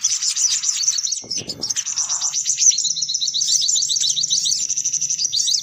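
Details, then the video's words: Sunbird calls used as a lure to gather sunbirds: continuous high twittering with fast, buzzy trills and overlapping chirps, plus a short low thump and a faint hum underneath. "Suara Pikat Burung Kolibri Paling Manjur || Sogok Ontong Ribut"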